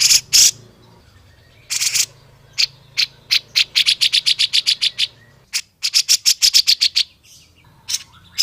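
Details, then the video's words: Grey-cheeked bulbul recorded to prompt others to sing: harsh opening bursts, then fast runs of sharp high notes repeated several times a second, broken by brief pauses. "masteran cucak jenggot suara asli dan jernih buat pacingan buat c.jenggot agar lebih cepet bunyi"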